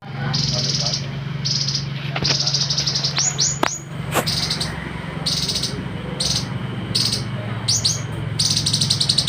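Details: Citrine canary-flycatcher (sikatan matari) from West Sulawesi, used as tutor song for competition birds: bursts of rapid, high, thin chattering notes and quick upslurred whistles in short phrases, over a steady low hum.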